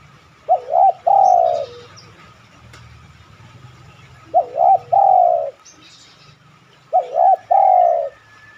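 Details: Spotted dove cooing used as a lure so other doves respond. Three phrases, each a fluttering double note and a long dropping coo, about every three seconds, with faint high chirps between them.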